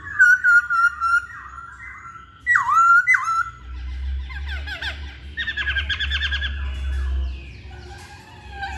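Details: Masked laughingthrush song used to prompt other birds to sing. Opens with wavering whistled notes, then sharp downslurred calls. A dense stretch of rapid rattling, trilled phrases follows with a low hum beneath, and the song fades into softer chatter.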